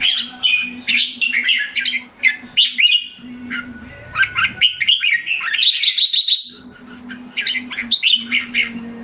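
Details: Red-whiskered bulbul kept caged in Singapore, regaining form on a moulting and deworming regime, delivers a long run of lively warbled and whistled notes, phrases tumbling one after another, including a buzzy rattling trill, over a constant low electrical hum.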